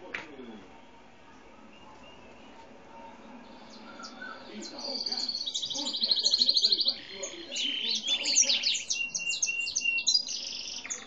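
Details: Grey-and-white domestic canary of no defined breed, recorded while a seedeater was also singing a lot; quiet start, then loud rapid high trills and rolling buzzy phrases from about four seconds, with fast chirped notes continuing to the end.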